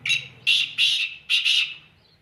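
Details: Black francolin calling: a short harsh note, then a pause, then a pair of loud grating notes, then another grating pair, each note rasping and broad, the phrase lasting under two seconds.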